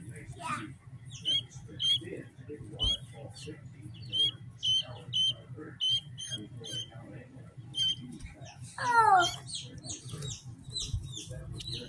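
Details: Two-day-old Pearl (French Pearl) guinea keet, hatched 3-22-2023, newly brought home from a store: high, thin peeps repeated about every second, with a louder descending chirp midway, over a steady low hum and faint voices.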